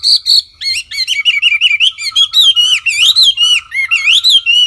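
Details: Wambi song, clear and continuous: a fast chain of sliding whistled notes that rise and fall, thick with overtones, broken by brief gaps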